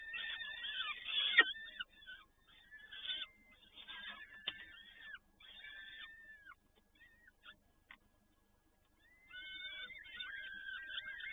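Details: Peregrine falcon at Toruń, Poland, on 7 May 2019 during feeding by both parents: loud scratchy calling at first, then scattered thin drawn-out whines and bent tones, a near-silent gap, and renewed whining calls at the end.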